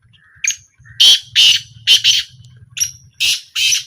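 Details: Black francolin calling during a trial, a quick run of short grating notes, some with a thin whistled edge, over a faint low hum.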